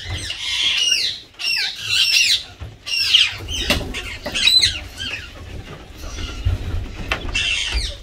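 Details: Indian green ringneck parakeet, a tame pet playing with water and taking a shower, gives harsh, screechy squawks in quick bursts. About six loud outbursts in eight seconds over a low rumbling and splashing background.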